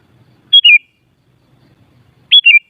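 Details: Sooty-headed bulbul, aimed at getting other bulbuls to reply: two emphatic whistled phrases under two seconds apart, a high note dropping into a lower wavering note, over a faint low hum.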